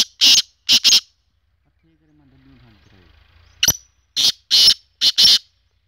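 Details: Black francolin (kala teetar) giving loud, harsh, scratchy bursts: two quick notes, a pause with faint low murmuring, then a sharp click and four more grating bursts in close succession.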